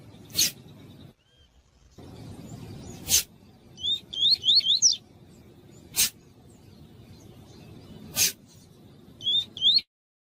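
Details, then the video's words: Rusty-collared seedeater (coleiro) 'tui tui' training song, used to teach and warm up captive birds: two short bursts of quick, high, wavering whistled notes, about a second each, with sharp, loud clicks roughly every three seconds. "TUI TUI PARA ENCARTE"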